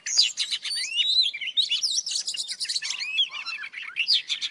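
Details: Old wild Oriental magpie-robin singing in the morning: a rapid, varied run of clear whistled notes with sweeping rising and falling slurs and scratchy chatter, continuous for several seconds.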